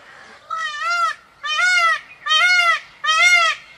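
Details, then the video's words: An Indian peafowl (peacock) in a peacock valley gives four loud, nasal, wailing calls in quick succession, each slightly arched in pitch, about one every second. "Peacock calls"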